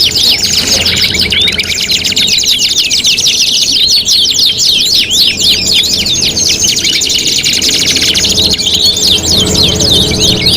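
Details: Canary singing recorded as contest tutoring, five materials together: dense, high rattling trills with rapid zigzag chirps, a brief pause near the start and another near the end, light low hum throughout.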